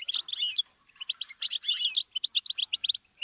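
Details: Goldfinch song used as a tutoring stimulus for songbirds learning to sing: fast tinkling twitter of short high notes, a dense burst, a brief pause near one second, then a clipped staccato run of bright chips.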